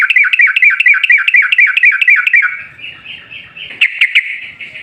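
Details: Yellow-vented bulbul pouring out a long, rapid chatter of looping, bubbly notes, about two a second for over two seconds, fading into a warble. Used as a lure to make other bulbuls sing.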